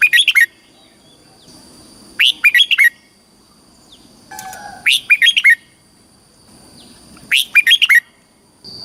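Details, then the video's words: Caged Red-whiskered Bulbul from Thailand singing in the southern master style, played to excite caged birds or teach young birds: short bursts of four to five bright, sweeping whistled notes, repeated about every two and a half seconds over a steady high electronic tone. "เสียงนกกรงหัวจุก สำหรับต่อ หรือ เปิดให้นกคึก"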